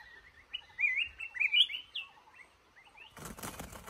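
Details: Trapped male red-whiskered bulbul delivering a lively warbled song of rapid slurred whistles, each phrase rising and falling, ending abruptly in a loud burst of rustling or wing flapping.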